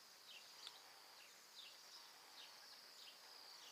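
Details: Bohemian Waxwings, a flock of around a hundred, feeding on mountain ash berries during winter migration in Alberta: a continuous high, thin buzzy trilling chorus with repeated short downward-slurred notes about every half second.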